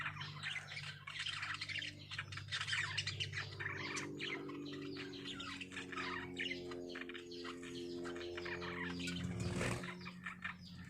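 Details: Lovebirds in a breeding setting, giving a busy stream of harsh squawks and chirps that overlap almost without pause, with a steady low mechanical hum underneath.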